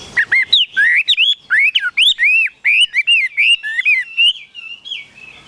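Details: Caged Chinese hwamei singing a lively run of loud, clear whistled phrases, each note sweeping up then down, delivered in quick succession with brief gaps and a softer trailing note at the end.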